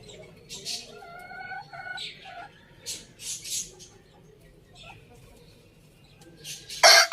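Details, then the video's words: Farm-village rooster giving a drawn-out, harmonic crow in stepped segments during the first two seconds, followed by scattered harsh noises and a sharp loud burst at the very end. "Amazing rooster crowing sounds"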